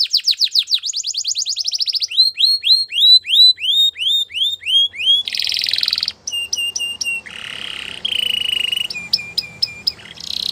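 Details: Belgian canary singing a rapid series of falling whistled notes, then slower drawn-out slurred notes, broken by harsh buzzy bursts and clipped rattling phrases near the end.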